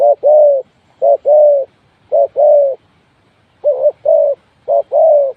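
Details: Spotted dove kept as a trapping decoy, delivering a steady run of two-part coos, each a brief note then a drawn-out mellow croo, five phrases in quick succession with near silence between.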